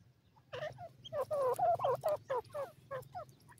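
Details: Irani teetar partridge calling: a loud run of about ten harmonic, slightly falling notes delivered in quick rhythm, with fainter chirps from other birds and a steady low hum behind.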